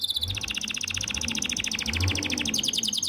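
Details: Male canary singing in heat to attract a female, delivering a steady, rapid high trill that slides slightly lower and then rises again, with a faint low hum behind.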